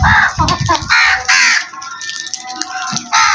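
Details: Harsh crow caws, one at the start, one near the middle and one at the end, over a steady background hum and some low thuds.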